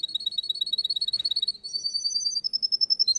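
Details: Russian canary singing in a contest, delivering a run of rapid high trilled notes, then shifting to a higher, faster rolling trill and back again, clear and piercing throughout.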